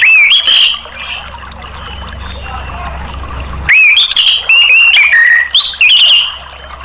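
Orange-headed thrush sings loud, varied whistled phrases, bright and fast-changing, with a brief quieter pause midway; background faintly hums.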